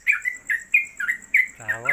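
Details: Caged Yellow-vented Bulbul (trucuk), a newly acquired bird with 'konslet kemedol' song suited for tutoring: a few bright chirped notes and a short drawn whistle, then a brief buzzy low call at the end.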